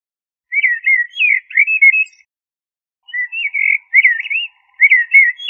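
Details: Two leisurely warbling phrases from a common blackbird, made of looping, slurred flute-like whistles at a fairly even pitch and set apart by a long silent pause. The recording is clean.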